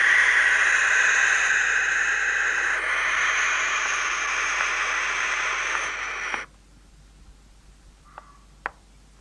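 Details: Barn owl at night letting out one long, unbroken, raspy hissing scream that lasts about six seconds before stopping abruptly, followed by a few faint clicks.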